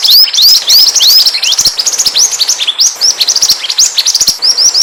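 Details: Pied triller song used as a lure to draw other birds close: rapid, dense run of high chirps and upward-curving whistled notes repeated almost three times a second, with sharp ticking clicks throughout.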